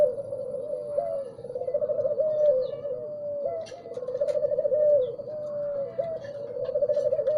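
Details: Spotted dove cooing steadily in the morning, low rolled phrases with short upward-flicking notes, run together almost without pause, faint chirps of other birds in the background.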